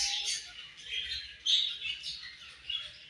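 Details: Budgerigars chirping during their morning feed: a dense, continuous chatter of high twittering notes with short brighter chirps standing out now and then, no other clear sounds.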